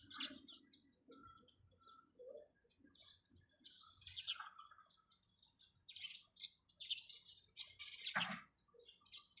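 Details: Sparrows chirping in short, scattered bursts of high, bright notes with brief quiet gaps between them and a low murmur underneath.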